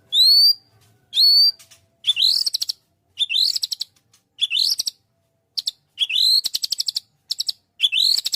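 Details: Murai batu singing in full 'tembakan' style: clear rising whistled notes alternating with staccato bursts of fast repeated pips, phrases spaced about a second apart in otherwise quiet surroundings.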